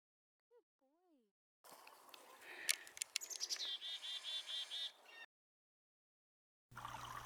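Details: A male Northern Flicker on a nearby pole calls to a female with a fast run of sharp, high, evenly spaced notes that slide down and level off, over a rough, noisy background.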